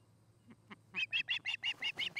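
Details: An osprey at its nest in Charlo, Montana, filmed on a nest cam in the afternoon of 29 August 2018, gives a quick run of about eight sharp, high whistled chirps, roughly six per second, after two faint opening notes, over a low hum.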